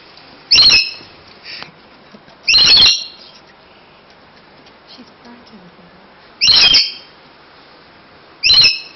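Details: Rainbow lorikeet, in Australia, squawking while attacking a kitten before calling in a second bird: four harsh, loud, raspy screeches in short bursts a few seconds apart, with quiet gaps between.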